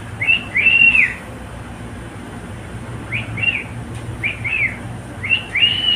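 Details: Singing male pet cockatiel: a bright doubled arched whistle, a two-second pause, then several softer short whistled note pairs ending on a higher held note.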